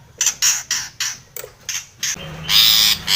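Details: Long-tailed shrike calling a rival: harsh, buzzy, broadband bursts in an uneven run, ending in two longer, louder rasping notes.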